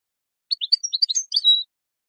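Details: European goldfinch song in the style named ويداني, offered for training birds: one quick twittering phrase of about a dozen bright, tinkling notes, jumping up and down, ending on a sustained clear whistled note. The background is silent.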